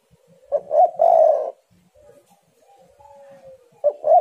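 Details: Spotted dove in vigorous song, a lure recording: a low coo phrase ending in a long steady note, a quiet gap with a thin faint whistle, then another phrase beginning.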